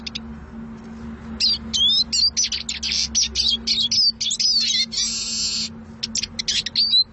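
Eurasian siskin singing a fast, twittering run of high chirps and slurred notes, broken by a wheezy, drawn-out buzz, over a faint low hum.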